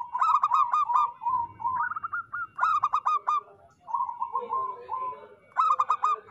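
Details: Active local zebra doves singing, with repeated loud bursts of clipped, stuttering coo notes. Between them run softer, smoother rolling phrases, and bursts recur about every two to three seconds.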